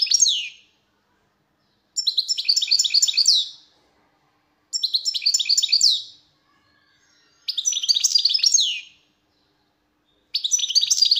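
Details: European goldfinch delivering repeated twittering song phrases roughly every three seconds, each a rapid string of tinkling, slightly buzzy high notes, in a quiet setting.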